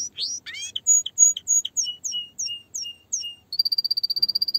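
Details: A canary opens with rising swept whistles, moves into evenly spaced two-pitch chirps, then ends on a fast high even trill.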